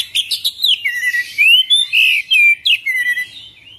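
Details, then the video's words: Kacer, the Oriental magpie-robin, in rolling full isian gacor song: a fast, loud string of rich whistled notes, rising and falling slurs and short sharp calls, with almost no background noise. "Kacer Full Isian ngerol gacor dorrr"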